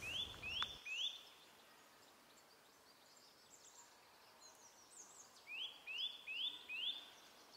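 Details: In winter woods at Lage Vuursche, a displaying Eurasian Nuthatch gives short bursts of three or four quick, rising whistles, about three per second, over a soft woodland hiss.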